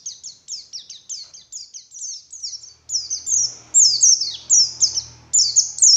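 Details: Morning lure of a white-eye, wild type: high down-slurred chirps repeated about twice a second, growing louder and fuller, with a low background rumble in the second half.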